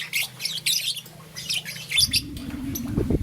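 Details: Morning chirps of a young green and yellow peach-faced lovebird: a few bursts of high shrill tweets, then a low droning mechanical noise takes over the second half.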